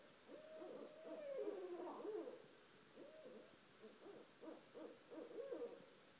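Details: Two barred owls living right outside a house call at 1:30 am, a loud run of low hoots, some drawn out and wavering, others short and rapid, overlapping and bunched toward the end.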